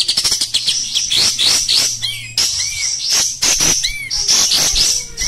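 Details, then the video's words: Kept Oriental white-eye in energetic 'tembak kasar' song: nonstop high, scratchy twittering phrases broken by brief pauses, each phrase led by a thin downward-curving whistle. "Suara Burung Kapas Tembak Kasar Gacor"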